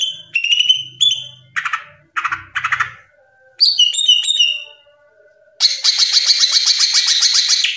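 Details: Greater green leafbird, tembakan-style gacor song offered as masteran and therapy material: clear whistled phrases, three short harsh burry bursts, chirpy twittering notes, a pause, then a long fast buzzy trill with faint low background hum.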